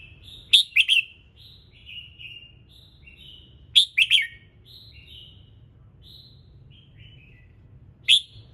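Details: Red-whiskered bulbul's morning song to encourage other birds to sing: loud chirpy phrases about three seconds apart, each followed by a string of softer whistled and warbled notes, with a low background hum.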